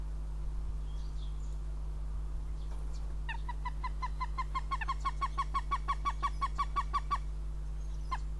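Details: Northern goshawk at its nest in Riga on 9 April 2017, giving a fast run of about twenty harsh, evenly spaced cackling notes that grow slightly louder and then stop abruptly, over a steady low hum.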